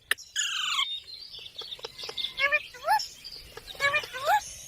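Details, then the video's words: Green parrot vocalising with a drawn-out harmonic note, then several short rising, talk-like syllables repeated at irregular intervals over soft background noise. "Green Parrot Talking Natural Sounds"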